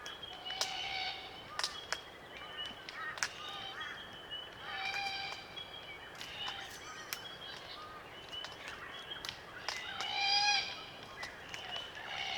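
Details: Small flock of Glossy Black Cockatoos feeding on Allocasuarina cones in the Macleay River valley bush, NSW, Australia; creaky, grating harmonic calls mixed with sharp clicks from feeding, scattered through the clip.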